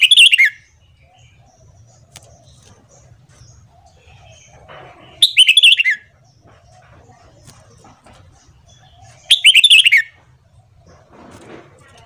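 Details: Red-whiskered bulbul morning song used to train and stimulate newly caught birds: three short bright warbled phrases, each about half a second, spaced roughly four to five seconds apart over a faint low hum.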